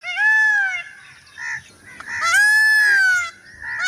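A peacock gives two loud, nasal, wailing calls about two seconds apart, each arching up and then falling away, with a brief softer note between them.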